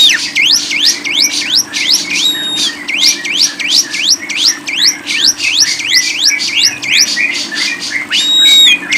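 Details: Lovebird song for bird keepers: a continuous stream of fast, sharply rising whistled sweeps, close to three per second, with brief long, level, ringing whistles near the start and the end, over a low hum.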